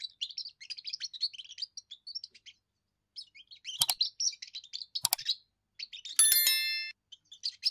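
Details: First song of a young European goldfinch, sung to hold territory and draw females: long run of fast, high twittering notes and liquid trills, broken by sharp clicks and a brief harsh buzzy rattle near the end.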